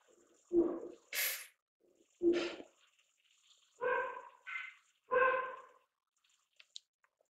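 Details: Malayan night heron giving spring courtship calls outside a house: deep, hollow hoots about two seconds apart, mixed with rougher harmonic barks from the household dog barking back at it.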